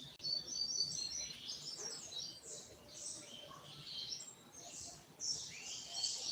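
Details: Double-collared seedeater singing the short tui tui song style, third-note variant: a high, quick run of chirped and slurred whistled notes, delivered almost continuously with brief pauses, over faint background hiss.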